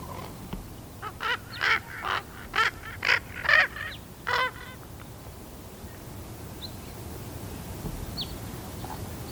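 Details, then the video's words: Young raven, 13 and a half weeks old, learning to make different noises: about eight harsh, hoarse croaking calls in quick succession over the first four and a half seconds, then only faint background hiss. "Baby raven makes adorable noises"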